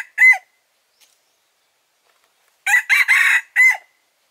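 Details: Wild red junglefowl rooster crow used as trapping lure: a lone clipped end note, then after a pause one complete four-part crow with harsh buzzy middle and sharp whistled close, in silence.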